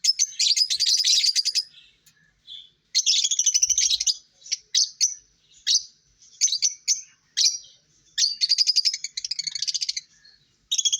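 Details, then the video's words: Long stretches of buzzy, shrill lovebird chattering mix with clipped squeaks and short pauses over eleven seconds. "Lovebirds Singing & Lovebirds Chirping sounds"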